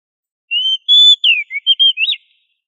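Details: Oriental magpie-robin (kacer) singing hard as a master recording for training other magpie-robins to sing loudly; a brisk run of seven whistles, a long level tone, falling slurs, short trills and a final rising-falling note.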